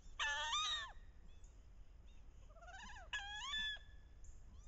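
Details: Wood duck hens on a bayou in late October, head-down chasing and posturing to entice drakes; two loud, harsh, rising harmonic squeals about three seconds apart, with a softer run of upward-sweeping notes between them.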